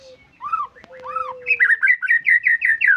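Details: White-rumped shama in full song: two slurred downward whistles over a long steady tone, then a rapid string of bright repeated notes about five per second, rising in loudness.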